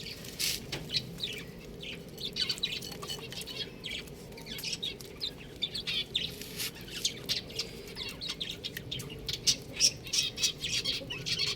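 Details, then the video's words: Several baby chickens chirp continuously, a busy chorus of thin, high peeps in quick irregular bursts, set against a steady low rumble of background noise. "Beautiful Chicks Chirping Sound"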